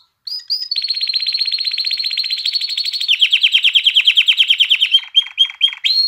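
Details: Singing canary, played to stimulate hens to mate and chicks to learn song: an unbroken, very fast trill that steadies, then shifts into a slower, pulsing lower roll, ending with a few separate whistled notes.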